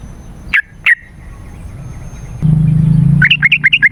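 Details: . Yellow-vented bulbul lure song for calling wild birds and tutoring caged ones. Two sharp notes, a pause, then a low droning hum joined by a fast, bubbling run of warbled notes.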